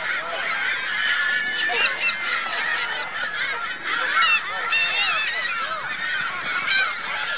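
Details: Geese with goslings on Virginia Lake, Reno, 2 May 2013, giving a thick, unbroken chorus: many overlapping nasal honks and high, rapid chatter that swells and fades.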